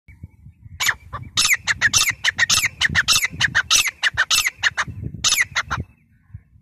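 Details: On 3 October 2020, a grey francolin gives loud, harsh, ringing calls in rapid bursts, about four strident notes a second for five seconds, with a low background rumble.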